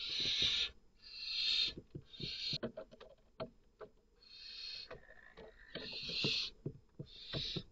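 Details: Harsh, breathy hisses from a barn owl chick confronting an intruding female while its mother hunts, two chicks in the nest; long noisy bursts with sharp clicks and knocks between them.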